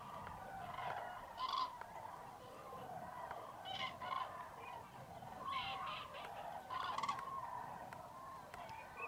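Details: Freezing fog at first light over a vast common crane roost in Tablas de Daimiel National Park, Spain, mid-January; a distant chorus of many cranes with repeated short trumpeting phrases rising every second or two, greylag geese and teal nearby.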